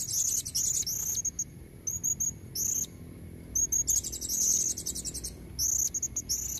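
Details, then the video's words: Female blue-crowned hanging parrot luring males with natural calls: almost continuous high, shrill twittering and buzzy trills, rapid short notes packed into bursts every second or so. "Suara serindit betina buat pancingan jantan leher merah"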